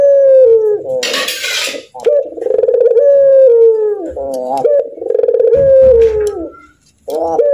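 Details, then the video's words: A caged Barbary dove that often laughs gives long, rich coos that slide downward, broken by quick stuttering laugh notes, with a brief burst of rustling noise near the start. "Burung Puter Tertawa Lepas Seharian Gacor Abis Burung Puter kalian Pasti Ikut Gacor kalau mendengar"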